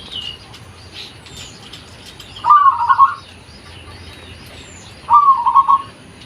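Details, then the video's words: Local zebra dove in its original voice for luring: two separate rolling coo phrases about two and a half seconds apart, each a quick beaded trill, with faint high chirps of other birds before the first. "PERKUTUT LOKAL || SUARA ASLI COCOK UNTUK PANCINGAN"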